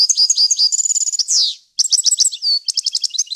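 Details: Loud, clear European goldfinch song for training chicks: tinkling twitters and a whistled note lead into a drawn-out nasal buzz, a brief break, then rapid repeated chirps and a level whistle.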